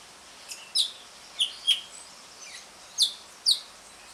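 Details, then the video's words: Asian pied starling, ngriwik style, used as a lure to get non-singing starlings calling: six sharp, high chirps and whistled notes, isolated or in pairs, about half a second to a second apart, over steady background hiss. "JALAK SUREN NGRIWIK, PANCINGAN JALAK SUREN MACET BUNYI"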